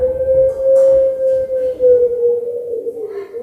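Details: Anggungan call of a puter pelung collared dove answering a lure: a single level, humming coo sustained through almost the whole three seconds, wavering slightly and dropping at the end, with faint background noise.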